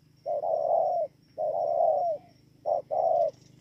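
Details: Spotted dove, Bờ Y, Kon Tum, Vietnam, 28 November 2017. Long warbling coos stretched nearly a second each, the second ending in a downward slur, then a short note and another long coo, with a steady low hum throughout.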